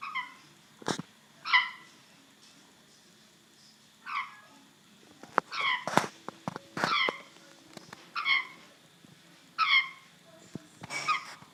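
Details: Pet African grey parrot repeating an odd sound: short nasal, harmonic squawks roughly every one to two seconds, mixed with sharp clicks and taps.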